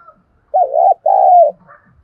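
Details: Spotted dove decoy call used to stir up and lure wild doves: two low, hoarse cooing notes, the first short and wavering, the second longer and slightly falling, in a quiet background.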